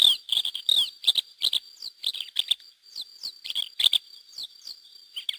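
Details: Lesser Grey Shrikes, a wild pair with chicks released through hacking in 2009, in the SPA of Mas de Melons–Alfés, Lleida, Spain: sharp clicking bursts and short squeaky chirps, irregular and rapid, with a constant high thin tone behind.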